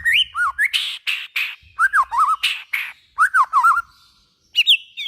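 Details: Song of a white-rumped shama, played to get other shamas singing: varied phrases mixing whistled rising and falling notes with harsh raspy bursts, broken by short pauses.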